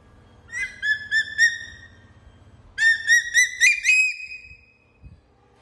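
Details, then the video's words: Hawk-eagle calling after hunting: two bursts of clear, whistled notes. First a series of three, then after a pause about six faster notes that rise slightly in pitch, with a quiet low background. "Amazing hawk eagle sound after hunting"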